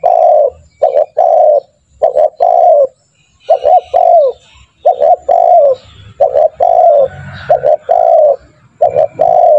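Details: Spotted dove calling rapidly as a lure to make other doves call: back-to-back phrases of two short notes and a falling coo, about seven in a row, with some faint chirps behind.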